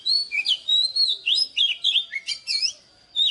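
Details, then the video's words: Morning song of an oriental magpie-robin, a recording meant for training birds: loud, clear whistles that sweep up and down, delivered in quick varied notes nearly twice a second, then a short pause and another whistle. "เสียงนกกางเขนบ้านหรือนกบินหลาขี้ควายใต้ Choè than Già rừng hót zbuooir sáng cực hay"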